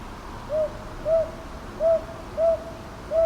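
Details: Five rounded hoots from a northern boobook, Ichijoji, Sakyo Ward, Kyoto, recorded 22 May 2023, arriving in pairs of soft notes over low background hum.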